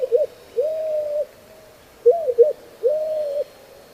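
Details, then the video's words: White-crowned Pigeon giving its slow, repetitive cooing song, a short hiccuping note then a long level coo, repeated twice in four seconds: whoop whoop, woo whoop. "Listen for slow, repetitive cooing song, whoop whoop, woo whoop."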